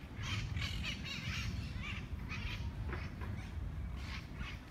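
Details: Monk parakeets fighting over food in Parc de la Ciutadella, Barcelona, Spain, giving harsh repeated squawks in bursts about every half second, over steady low rumble of traffic; mitred parakeets also squawk from the trees above.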